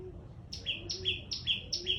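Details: Small bird giving loud calls: four sharp paired notes, a high downward stroke then a lower clipped note, repeated about every 0.4 seconds over a faint low background murmur.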